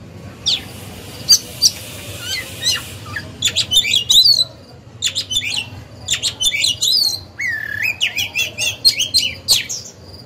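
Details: Caged oriental magpie-robin singing to provoke other birds into singing: a few sharp high notes at first, then bursts of varied whistles, rising sweeps and clicks separated by short pauses, over a low indoor hum.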